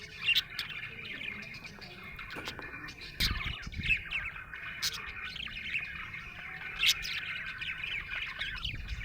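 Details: Happy budgerigar chirping: rolling, twittering warble with several loud, snapping clicks and short squeaks popping out every few seconds, plus a faint low knock near the middle.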